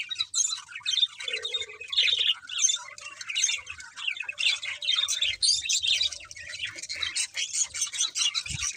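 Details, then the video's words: A group of pet budgerigars sings during a meal: harsh squawky notes mixed with high chattering warbles in pulsing bursts, a short low hum early on, and a light knock near the end. "Beautiful Budgies Singing and Eating"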